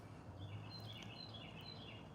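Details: Carolina wren singing near a porch; a faint, clear, whistled phrase repeats about three times over steady low background hum.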